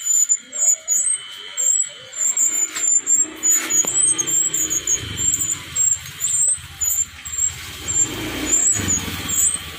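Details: Male brown-chested jungle flycatcher, wild-caught in Bali, repeating short, high, thin whistled phrases in quick succession. Low rumbling background noise grows during the second half.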